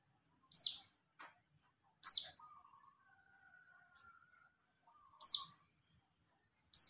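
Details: A white-eye gives calls meant to summon other white-eyes: short, bright, high chips that drop quickly, spaced irregularly about every one to three seconds, with a faint thin whistle in the background.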